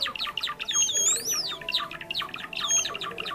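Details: Java sparrow sounds played as a trapping lure: rapid, crowded chirping with one long, bright, arching whistle early on and a shorter whistle near the end.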